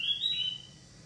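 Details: A pet crested lark gives one clear, high whistled note lasting about half a second, rising slightly and then sliding down, with a faint low hum underneath.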